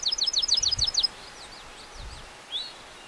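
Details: Dark-eyed junco singing on Mount Rogers, Grayson County, in Virginia's Appalachian mountains: a rapid, high trill of about a dozen sharp down-slurred notes lasting one second, followed by faint thin calls from other birds in the background.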